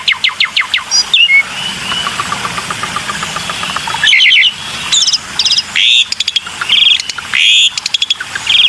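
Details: Lure recording of a black-winged myna: clicking chips, a long rattling buzz with faint ticking, then harsh squawks, bright whistles and clicks that come in bursts.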